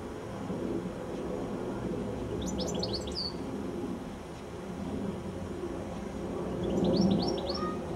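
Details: Goldfinch singing in the evening, perched high on a telephone wire just before sunset; two short bursts of quick, high, liquid twittering notes several seconds apart, over a steady low rumble of background noise.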